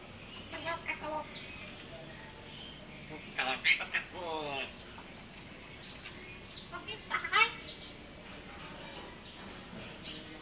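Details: African grey parrot kept as a pet, talking and dancing while asking for food. Scattered speech-like chatter and short whistled notes come in loose bursts, each a second or so apart, against a quiet indoor background.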